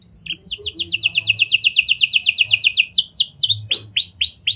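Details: Canary with lovebird and prenjak style song, meant to lure other canaries into long singing: a steady rapid high trill of about three seconds, followed by loud swooping arched notes repeated quickly.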